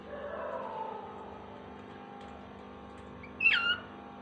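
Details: Pet cockatiel (Nymphicus hollandicus) mimicking a mobile phone alarm tone with a brief, bright warbled whistle.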